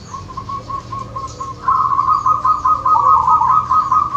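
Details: Zebra dove singing in the wild around Wonogiri, Indonesia: a soft run of staccato coos gives way to a louder, longer rolling trill of rapid beaded notes; steady low background hiss.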